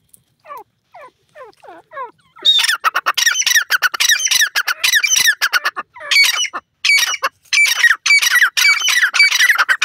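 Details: Francolin calling: a few faint, falling notes open the recording, then loud, harsh, rasping squawks burst out in rapid runs with short breaks for the remaining eight seconds.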